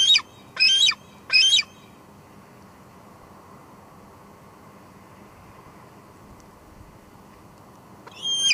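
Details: A female bald eagle shuttles between nest and patio at Two Harbors, July 2022 evening, on a live cam. Three quick shrill squees open, then a long quiet stretch before one more.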